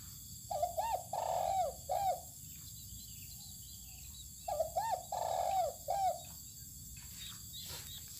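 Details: Spotted dove kept out sunning on open land, giving two cooing phrases, each a short note, a quick hooked note, a long drawn coo and a final short coo, separated by a pause, over steady high insect-like hum.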